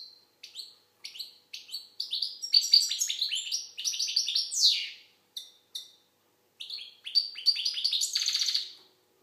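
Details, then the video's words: Algerian goldfinch (European goldfinch) singing: bursts of rapid twittering, tinkling notes and buzzy trills, with short pauses between phrases and a fast liquid run near the end. "Chardonneret algérienحسون. مقنين"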